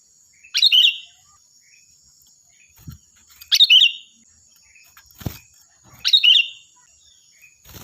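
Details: Loud, shrill sooty-headed bulbul song recorded for teaching other birds. Three brief, liquid, chirpy phrases arrive roughly every two and a half to three seconds, with a continuous high whine and a few soft thumps between.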